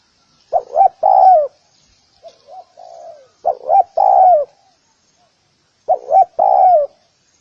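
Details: Spotted dove calling to lure others: three loud phrases of two clipped coos and a long falling coo, with a few soft, low-volume coos between the first and second phrase.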